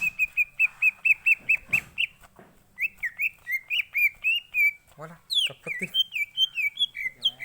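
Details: Lure song of a green leafbird, meant to trigger full singing: a rapid even series of clear whistles, then looping rising and falling whistled phrases with a few lower chattering notes mixed in.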